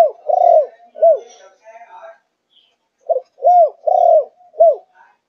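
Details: Spotted dove from Malaysia, four months old, thuc gu cooing style: deep hollow coos in a three-part phrase of short, long and short notes, repeated after a brief silence.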